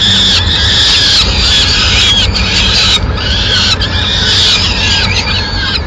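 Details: Peregrine falcon mother feeding her chicks in Madrid, 29 April 2016: high, strained squeals in irregular bursts, roughly one to two seconds apart, some notes held and wavering, with low rumble throughout.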